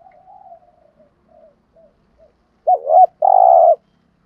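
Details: Spotted dove lure call, 'gù thúc' style, for training birds: faint murmured notes, then one loud phrase of a hooked double note and a buzzy drawn-out coo.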